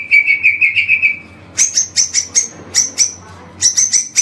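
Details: White-rumped shama training song: a steady warbled whistle, then groups of short, high, clear whistled notes repeated quickly in short bursts.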